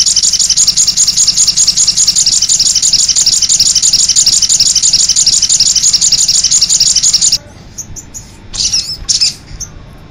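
Crimson sunbird song: a dense, very high, thin twittering of rapid notes, about three a second, that stops abruptly and leaves a few faint chirps.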